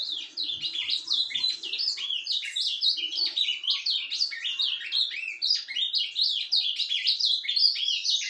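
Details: Ultramarine grosbeak giving a soft, subdued song on 10 January 2023: a continuous rapid high warble of short rising and falling notes run together without pause, with faint low thumps early on.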